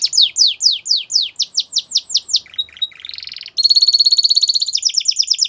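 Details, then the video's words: Belgian canary singing a fast series of high, sweeping downward notes, then a brief buzzy trill and rapid, ringing rolls; no other sounds. "Belgian Canary Singing"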